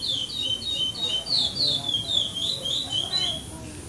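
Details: Singing-contest brown chestnut-bellied seed finch, placed second for song without repetition, classic praia style, stage 7 of the 2014 Maranhão tournament in São Domingos do Maranhão, Brazil: continuous rapid chain of clear, looping whistles, faint voices beneath.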